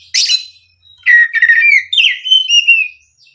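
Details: Oriental magpie-robin (kacer) lure song: a sharp chirp followed by a long flowing run of clear whistled notes that slide downward and level off.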